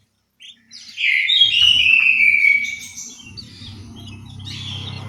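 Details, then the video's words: In an aviary in Malang, East Java, an orange-headed thrush gives one loud, sweeping phrase of slurred whistles sliding downward, followed by low background rumble and faint distant notes. "suara burung anis merah"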